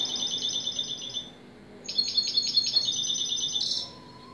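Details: Goldfinch singing high, rapid, tinkling trills in two runs of beaded notes, the second broken into quick repeated pulses and ending in a short bright flourish.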